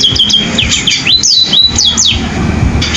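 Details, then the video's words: Short burst of canary-style sparrow song: quick high chirps, then looping whistles that swoop down and up several times, over a low background rumble. "burung pipit rasa kenari"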